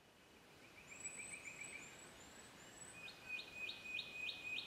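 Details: Spotted quail-thrush in Australia gives very high, thin whistles: a long drawn-out note with faint slurred notes above it, then a quick run of sharp upswept notes, about three a second, over soft hiss.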